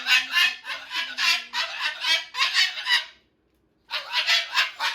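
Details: Pet Moluccan cockatoo indoors, chewing and playing with a new box, goes to loud, full-volume screaming: harsh, broadband, rhythmic blasts about three or four a second, broken by a short silence before resuming.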